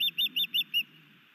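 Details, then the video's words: Osprey calling at a Montana nest during a new male's sky dance and fish delivery to his mate: five sharp whistled chirps, rapidly repeated, fading into faint background hum. "new male Osprey sky dances and brings Iris a fish"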